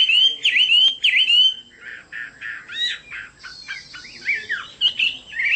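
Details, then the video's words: Chinese hwamei song, rich and varied. It opens with bright, rising whistled notes, then shifts to choppier, clipped chatter and short buzzy phrases before returning to sweeping whistles. A faint low rumble sits underneath. "Chim họa mi đẹp và hót rất hay"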